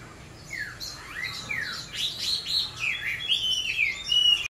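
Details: An Oriental magpie-robin youngster practising its song, opening with several clear descending whistled slurs, then breaking into a fast, jumbled, high-pitched warble that grows louder toward the end.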